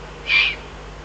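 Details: Eurasian eagle-owl in the Eifel, 22 June 2012: one short, hoarse, high-pitched call lasting about a quarter second, over a steady low hum.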